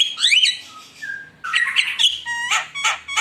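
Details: Javan myna in full voice, a lure meant to provoke competing birds: rising whistled slurs, a grating squawk and clear ringing notes, delivered in a few loud bursts.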